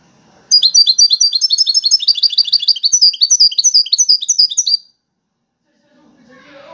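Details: European goldfinch singing in a song contest among five goldfinches: about four seconds of rapid, dense, high twittering made of sharp metallic notes run tightly together. Then a sudden silence, with faint low sounds near the end.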